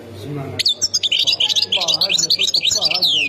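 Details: From Khemis Miliana in Ain Defla province, Algeria, a European goldfinch sets off after a brief low sound into a lively run of rapid, high, downslurred twittering notes, sustained throughout, over low background noise.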